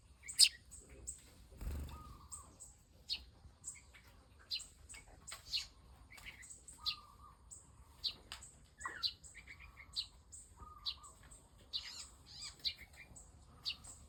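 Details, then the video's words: Young Eurasian tree sparrow begging while being fed; sharp, high-pitched squeaky chirps in rapid irregular clusters, mixed with short lower whistles and brief rustling, continuing throughout. "Kasih makan anakan burung gereja"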